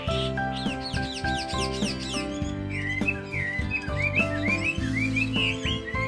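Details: A moulting Chinese hwamei sings loud, rapid, varied whistled phrases that slur up and down, repeated several times a second, over steady instrumental music.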